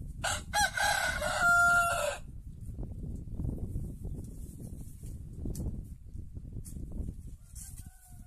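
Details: A white rooster from a village in Andalusia, Spain, gives one harsh crow with a held tone at the end during the first two seconds, followed by low rustling and rumbling background noise.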